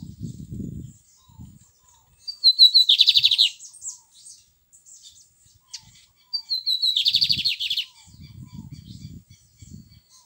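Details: Lined seedeater delivering two matching song phrases several seconds apart. Each starts with quick high notes and runs into a dense, fast, buzzing trill. Low muffled handling noises sound between the phrases.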